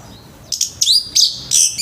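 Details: Orange-headed thrush singing in the morning to stimulate other birds: high, harsh, scratchy notes in four quick bursts.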